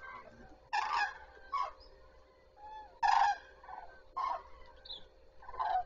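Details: At Zastawie reservoir on 14 September 2023, common cranes call at the start of the day: loud rolling trumpet bursts near 1 second and 3 seconds, answered by shorter, softer calls from other birds.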